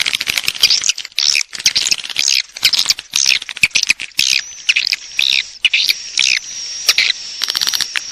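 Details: Swiftlet calling sound used to lure swiftlets to roost: dense bursts of high, scratchy chirps and twitters, tumbling in uneven clusters with short gaps, over a thin steady high whine.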